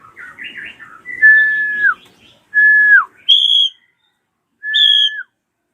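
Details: Drongo calls used as a lure for young birds: brief chatter, then loud, level whistles that fall off at the end, alternating with shorter, higher ringing notes separated by silences.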